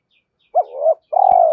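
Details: Spotted dove lure call, meant to make doves coo: a brief arched note sliding into a soft hum, then a longer throbbing coo, with faint high chirps in the background.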